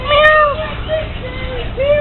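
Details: Captive African grey parrot (Psittacus erithacus), one that also says "bye-bye" and meowed at visitors, giving drawn-out cat-like mimicked meows, one long wavering note then shorter falling and rising ones, with human voices nearby.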